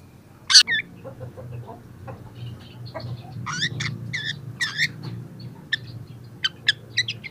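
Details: Young long-tailed shrike in full song, beginning to show its mimicked song material; sparse sharp high chips and short buzzy notes scattered across the clip, with a steady low hum underneath.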